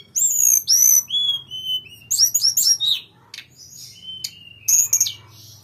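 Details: Mountain grey-cheeked bulbul delivering a long rolling song: clear descending whistles opening, then clustered sharp chirps and slurred high notes, with a softer stretch and a final bright burst over faint low hum.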